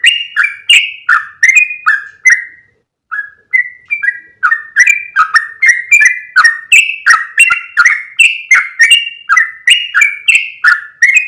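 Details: Yellow-vented bulbul lure sound meant to draw in other bulbuls: a loud, fast run of bubbly, slurred chirps in short two-note phrases, nearly continuous with one brief pause.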